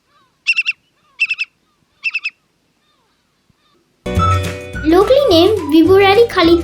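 Whimbrel gives three quick rippling bursts of high, tittering whistled notes, each burst about four notes, spaced under a second apart, before music takes over.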